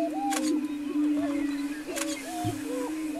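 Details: Greater prairie-chickens on a lek near Wray, Colorado, April 17, 2011, keep up a low resonant booming drone with swooping whoops overhead, broken by two sharp clicking bursts.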